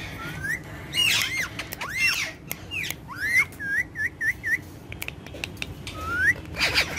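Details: Pair of pet Indian ringneck parakeets, dancing and talking together. Throaty speech-like syllables mix with rising whistles, a quick string of four short looping whistled notes, then scattered clicks and a final rising whistle, over low background hum.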